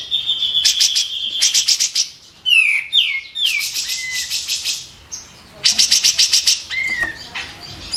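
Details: White-eared bulbul singing as a training recording for songbirds: a held whistle, then rapid rattling trill bursts, swooping falling whistles and more rattles, with brief pauses between phrases.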